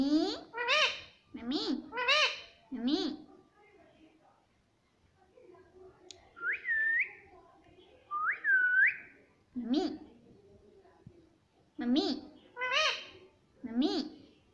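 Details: Talking pet parrot indoors, said to be saying mummy and papa; repeated pairs of short harmonic word-like calls, a quiet pause, two rising whistles, then more paired calls.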